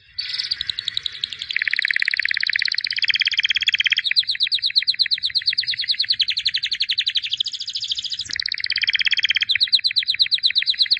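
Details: White canary, albino champion of 2017, pouring out an eleven-second chain of fast rolling trills, each tour held for seconds before switching pitch and texture, loud and unbroken.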